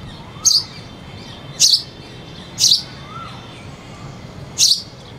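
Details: Sparrow giving four loud, high chirps at uneven intervals, a cuckoo singing in the background and faint softer falling whistles between the chirps.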